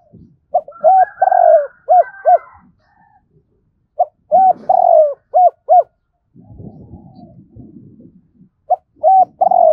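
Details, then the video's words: Morning call of a spotted dove used as a decoy, in a double-ending style: three repeated phrases of soft hollow coos with one drawn-out falling note mid-phrase, and light scratching noises between phrases. "Cu gay mồi gáy gọi hai hậu đôi vào buổi sáng"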